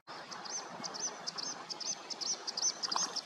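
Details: Bluethroat singing beautifully on a rainy late-May morning by water with grebes, coots and ducks: a rapid series of short high metallic chirps repeated about three per second over steady rain patter and drips.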